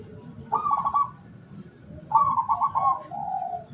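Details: Local zebra dove used as a decoy to lure wild doves, recorded 17 August 2023: two bursts of rapid, trilled, fluttering cooing around a steady mid pitch, the second ending in a longer falling note, over low background rumble.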